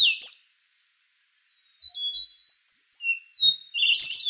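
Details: A rufous-brown solitaire ends one phrase, falls silent, then builds a new series of thin, high, bell-like whistles and quick upslurs that grows into a dense burst of notes.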